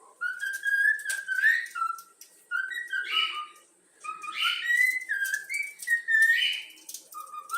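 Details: Young yellow-cheek pet cockatiel whistling the Flamengo anthem: a run of clear, slurred whistled notes, some held and some rising, in phrases broken by short pauses.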